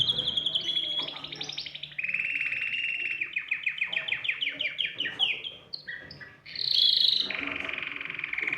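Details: Canary singing to stimulate other birds to sing: a whistled opening, then a rolling trill and a run of repeated downward-sweeping notes, closing with loud high and buzzy trills.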